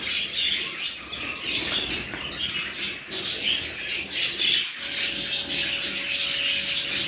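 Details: Chattering budgerigars from a new colony give pulsing high chirps and squeaky whistles, with a brief break near the middle before the chorus resumes over a faint hum.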